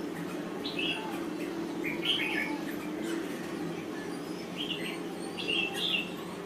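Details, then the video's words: Thai-type red-whiskered bulbul singing: short bright warbled phrases spaced a second or two apart, each a quick cluster of rising and falling notes, over a steady low hum. "Chào Mào Thái Lan Hót Cực Hay"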